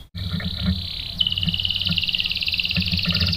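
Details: Canary song in the context of a female canary used as bait to provoke a male into singing: a long steady high whistle, then a fast pulsed trill repeated several times per second, with low background hum.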